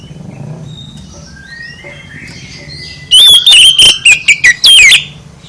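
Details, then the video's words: Provoking song of an oriental magpie-robin, meant to make other birds answer. After a few seconds of faint distant chirps and low hum, a loud two-second phrase of ringing, downslurred whistles bursts in. "Gak Mungkin Gak NYAUT ketika KACER ditempel dengan KICAU ini"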